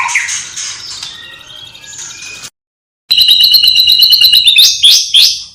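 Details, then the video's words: Vigorously singing white-rumped shama that mixes in sparrow, fighting lovebird and kapas tembak imitations. Rapid bright chirps repeat quickly after a brief silent gap. Shrill, high-pitched notes come before the gap. "Murai Batu Gacor Isian Gereja Tarung Love Bird Kapas Tembak Cililin"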